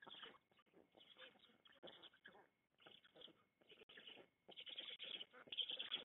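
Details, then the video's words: Black stork at feeding time on 16 June 2021, filmed in the Łódź forest district: rapid, irregular wheezy hissing bursts, noisy and broad, about 75 per minute with short pauses, getting louder toward the end. "Fer i Flo karmienia / 16.06.2021 / Bocian czarny"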